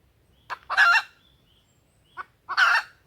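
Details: A hen red junglefowl gives a lure call meant to attract males and set them crowing: a short cluck, then a harsh, rasping cackle, repeated twice about two seconds apart, with a quiet background.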